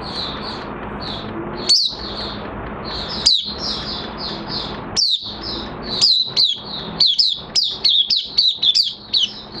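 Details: Oriental white-eye during minor moult, recorded 3 June 2022: gentle high twittering for several seconds, punctuated by occasional sharp chirps, then accelerating into a dense string of quick downslurred notes.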